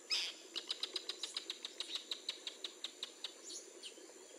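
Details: Northern jacana in the wild, filmed around a hatching chick and a male brooding chicks; fast chattering series of sharp, high clicky notes, about four per second, steady for several seconds over faint background hiss.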